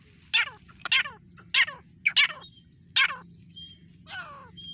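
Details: Pair of grey francolins, desi teetar: harsh, raspy descending notes repeated about every half second, some doubled, with thin whistled tones near the end over a low steady hum.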